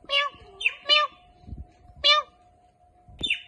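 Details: Talking pet Indian ringneck parakeet, which says "Allah hoo" among many words; several harsh, voice-like syllables with rich overtones, spaced about a second apart, with faint thumps and a constant low hum behind.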